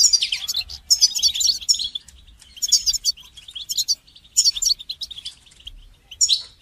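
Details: Goldfinch song for training songbirds: repeated bursts of rapid, high twitters and buzzy trills, with short pauses between phrases and a faint low hum underneath.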